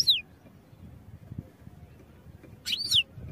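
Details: Goldfinch song for training, European goldfinch: a high downward-sweeping chirp opens, a quiet stretch follows, then a buzzy twittered phrase with a falling slur.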